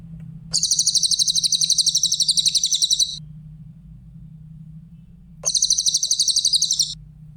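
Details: Cililin, or grey-headed canary-flycatcher, sings clearly for a songbird training recording: two long bursts of rapid, high, sharply pulsed notes, the first over two seconds, the second about one and a half, separated by quiet with a faint hum.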